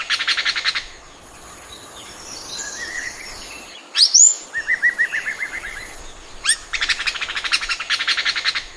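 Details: Oriental magpie-robin (Copsychus saularis), song.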